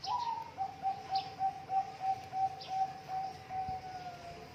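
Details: Zebra dove singing, recorded as a master track to prompt birds reluctant to sing: one higher opening note, then a steady train of short, clipped coos about three per second, fading slightly, with faint clicks.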